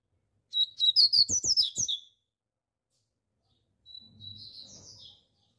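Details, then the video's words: Rusty-collared seedeater singing loudly: a fast burst of sharp, buzzy chirps at high pitch for about a second and a half, followed after a pause by a softer, slurred warbling phrase. "coleiro pardo Cantando forte"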